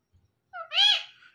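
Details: Talking pet parrot from a male and female pair: a single raspy, harmonic, speech-like utterance that swells and then fades out, with faint human murmuring just before it.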